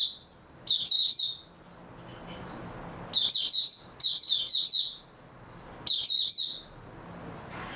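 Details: Oriental white-eye, known as Mata Puteh, giving high, rapid, twittering song phrases in three groups separated by pauses of about a second and a half.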